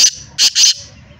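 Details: Black francolin (kala teetar), Hyderabad, Sindh, giving a short harsh note followed by two longer grating, buzzy notes in a rapid three-part phrase over faint low rumble.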